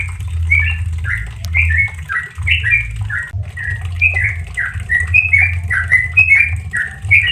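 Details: Caged-bird tutor recording of Sooty-headed bulbul in relaxed 'ropel' style: quick chains of short, slurred, chirpy notes with a brief break near the middle, accompanied by a low background hum.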